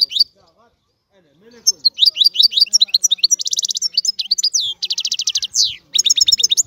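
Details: After a brief silence, a European goldfinch launches into rapid, jingling song with chattering note series, dense buzzy trills and upward-sweeping whistles, delivered almost without break.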